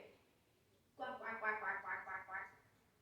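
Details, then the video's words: African grey parrot doing imitations, including a duck; a run of nasal, quacking pulses, about six in under two seconds, over faint room hiss. "African Grey. Snoring, farting, coughing, yelling, laughing, Michael J, and showing off."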